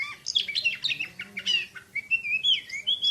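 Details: Kacer, the Oriental magpie-robin, gives a burst of scratchy chattering notes, then clear, sweet wavering whistles.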